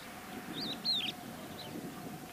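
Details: Crested lark uttering a brief pair of high, looping whistles, the second sliding downward, then a faint short whistle, over a constant low hum and soft outdoor rumble.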